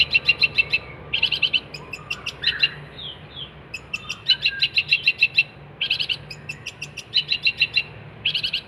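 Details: Long-tailed shrike in energetic song, recorded as tutor material for training songbirds: fast bursts of clipped, metallic notes repeated in tight groups, broken by a few brief slurred whistles, over a steady faint hum.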